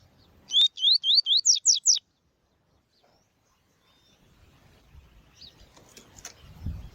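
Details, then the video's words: Double-collared seedeater song, used to train and warm up captive birds for singing tournaments: a quick burst of seven sharp, bright upslurred notes over about a second and a half, then near silence and faint low rumbling. "MELHOR CANTO DE COLEIRO TUI TUI"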